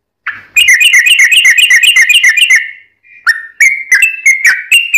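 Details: Sooty-headed bulbul's long trilled song, used to lure other birds into replying; a two-second rattle of quick bright notes, a brief pause, then several separate slurred whistles rising and falling.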